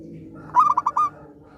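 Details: A single song phrase from an eager-singing zebra dove, used as therapy for doves that have gone quiet: a short opening note, then a rapid stutter of clipped coos ending in a sustained coo, over a low hum.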